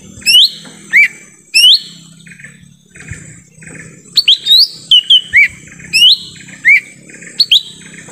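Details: Forest recording of lesser green leafbird calls used as a lure for wild birds: bright upswept whistles repeated roughly every half second to second, irregularly spaced, over soft background chirping.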